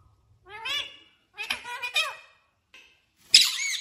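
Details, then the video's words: Talking pet parrot indoors producing voice-like harmonic syllables: one drawn-out phrase, a pause, then two quick wavering words, ending in a sharp, noisy screech. "Bolne Wala Tota Mithu"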